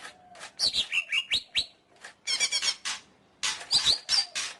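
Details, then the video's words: A greater green leafbird sings rapid twittering phrases mixed with slurred whistles that drop and rise, in three dense bursts with short breaks. "Suara Burung Cucak Ijo"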